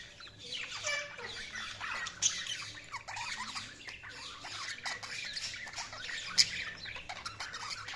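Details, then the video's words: Budgerigars chirping in a dense, continuous chatter of scratchy warbles and squeaky notes, several birds overlapping with no pauses, over a faint low hum. "Budgies Sounds| Budgies Chirping sound"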